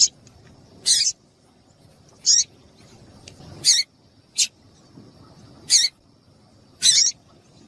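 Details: Female double-collared seedeater piping meant to excite male birds: short, harsh, noisy chips repeated irregularly roughly every one to two seconds, six or seven in all, with a thin steady high whine behind.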